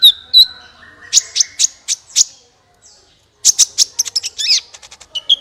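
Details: High sunbird song played to coax other birds into singing: a thin whistle opens into evenly spaced sharp chips, then a pause and a rapid, slightly buzzy chattering phrase.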